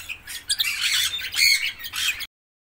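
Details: Imported red-rumped parrots giving dense, overlapping high chattering and squawking calls for about two seconds before the sound cuts off.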